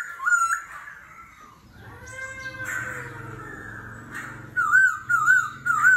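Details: Forest-voiced laughingthrush singing competitively with continual voice changes: wavering whistle, drawn-out harmonic tones sliding down, then three loud looping whistled phrases evenly spaced, with a low hum underneath.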